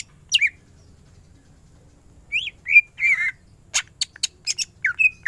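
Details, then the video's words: Greater green leafbird giving scattered song notes: a few slurred whistles rising and falling, then sharp high ticks and short chirps spaced irregularly over a quiet background. "Cucak ijo gacor full tembakan ngentrok"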